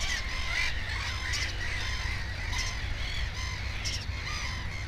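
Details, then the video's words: Black-headed gull beside a nest holding two chicks, giving a series of grating, harsh cries in quick succession, mixed with other gull voices and a constant low background hum. "Озерная чайка"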